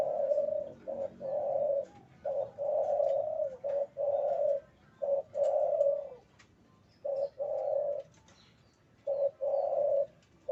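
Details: Low, mellow cooing from a male spotted dove in breeding condition, short notes and long steady hoots strung into repeated phrases, loud and close, with brief pauses between series.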